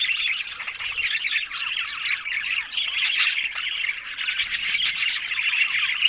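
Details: A flock of pet budgerigars chirping and warbling at once, with quick squeaky notes tumbling over one another in a constant high chatter.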